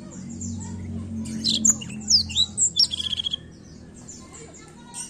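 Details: Black-throat song starting quietly, then a burst of high sweeping whistles and a rapid chattering trill around the middle before fading to soft high notes. A low hum underlies it.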